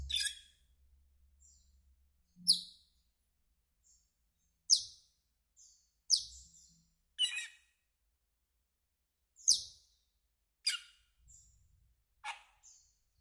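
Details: Asian glossy starling, a greenish black bird, giving sharp, high, metallic chirps that drop quickly in pitch. They come singly or in short pairs at irregular gaps of about one to two seconds, with faint softer notes between and a quiet background.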